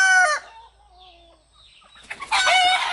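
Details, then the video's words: Rooster among three with their hens, crowing as communication between them: the loud tail of one crow fades out, a quiet pause with faint distant notes follows, then another strong harmonic crow begins. "Three Rooster Crowing sound effect in One after Another"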